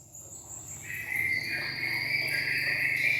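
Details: Greater green leafbird singing: long, sustained whistled notes held at a steady high pitch, overlapping and shifting upward partway through, with a low steady hum beneath.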